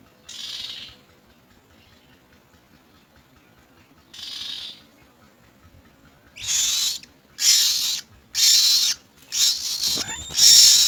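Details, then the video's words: Common myna birds bringing insects to their young; two soft hissing bursts early on, then a run of louder harsh rasping bursts in quick succession toward the end, over a quiet low background. "Common myna birds try to find lots of insects to feed their young"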